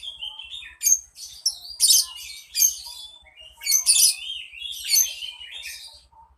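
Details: A bird described as beautiful and very melodious sings in loud, high bursts of sharp chirps and trills, with clear buzzy flourishes about every second and quieter whistled notes between, over a faint low hum.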